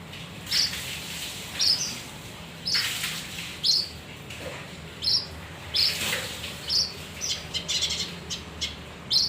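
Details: Male kinoi (leafbird) singing to lure other birds: short, sharp high chirps and tweets, one every second or so, with brief buzzy bursts between them over a faint low background hum.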